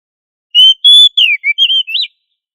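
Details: Oriental magpie-robin, known as kacer, delivering a 'gacor ngobra' phrase to train other magpie-robins: two long steady whistles followed by falling slurs, a warbled note and a rising flourish, all clear and loud.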